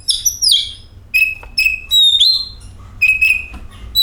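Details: Oriental magpie-robin lure song meant to prompt singing: a sweeping high whistle, then steady clear whistled notes and a rising slur, lively and varied.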